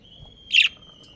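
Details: One brief scratchy chirp from a budgerigar breeding pair, set against a faint continuous high whistling tone.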